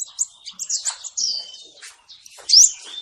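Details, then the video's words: Male sunbird song used as a lure for trapping birds: high, thin chirps and short sharp twittering notes in quick irregular bursts, with a brighter rising squeak near the end. "SUARA BURUNG KOLIBRI NINJA BUAT MIKAT"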